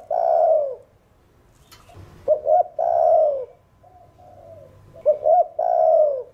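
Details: Spotted dove cooing in 'thổ đồng' style to stimulate other birds: long mellow falling coos alternate with pairs of quick short coos, the phrase repeated twice with soft low notes in between and a brief click.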